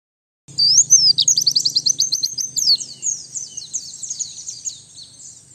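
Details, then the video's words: Lure song of a white-eye, a dense stream of quick rising and falling whistled notes and twitters, very high-pitched, loudest at first and fading toward the end, over a steady low hum. "Suara Pikat dan Master Kicau Burung Pleci"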